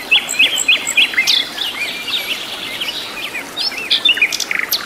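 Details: Natural-habitat recording of a wild sikatan londo flycatcher in lively song: repeated high hooked whistles in a rhythmic series, then a busy jumble of quick chirps and slurs amid outdoor ambience.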